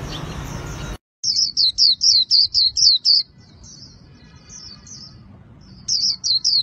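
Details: Clean "khuyên líu" song of a white-eye kept by Vietnamese artisans: about nine crisp, high, falling whistled notes in quick succession, quieter twitters, then three more loud notes; a noisy moment precedes the song.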